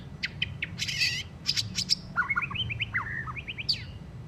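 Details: Recently moulted white-rumped shama in still rough, twittering song: a dense, varied outpouring of clipped chirps, buzzy bursts and sharp high notes, then rapid rising and falling whistled phrases, all over a low background hum.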